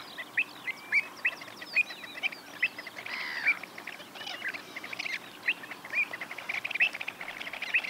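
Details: Avocets at Pennington Marshes, Hampshire, in June 2024 give short, clear, liquid 'kluit' notes, roughly one a second at an uneven pace, over twittering from other birds.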